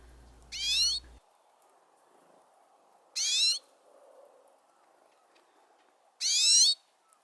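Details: A Pine Siskin, feeding from a hand in spring, gives three high, rising, slightly buzzy alarm calls as a Gray Jay comes too close, each about half a second long and spaced roughly three seconds apart, against a quiet background.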